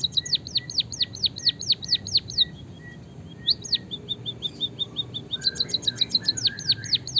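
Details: White-headed munia singing a canary-style song: quick runs of high, sharply upswept whistled notes, several per second, broken by brief pauses and rolling trills.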